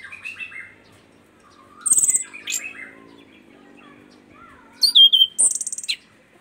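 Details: Caged orange-headed thrush from East Nusa Tenggara, singing freely after being trained to the camera: thin high whistles and sweeps, short buzzy rattling bursts, and lower warbled phrases, with pauses between.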